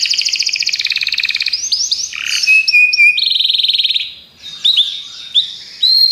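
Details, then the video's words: Belgian canary song opening with a loud rapid trill, then bright whistles, a sustained buzzy note and scattered sharp chirps with brief gaps. "Os canários belgas cantam espetacularmente"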